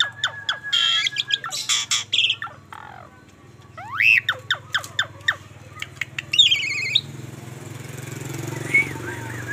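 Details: A bald Asian pied starling chattering: sharp clicks, harsh squawks and bright rising whistles in an uneven jumble, over a low steady hum.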